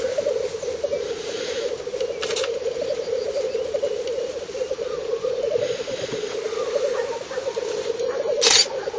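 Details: Black grouse lekking on 30 April 2011 in northern Finland, filmed from 50 to 70 metres on a Fujifilm Finepix HS10: a steady, dense bubbling chorus from the lek continues throughout, with a sharp hissing burst near the end.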